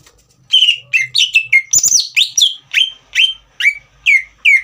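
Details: After a brief quiet start, a green leafbird bursts into a fast, varied chain of bright whistles, some rising, most falling, with one high buzzy note mid-phrase. The song is meant to spur a young bird to sing.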